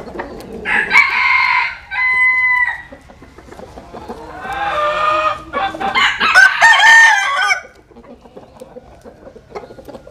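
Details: Roosters sunbathing crow three times in a row, each a loud harmonic cry about a second or two long, the last rising then trailing off, with soft clucking and rustling between.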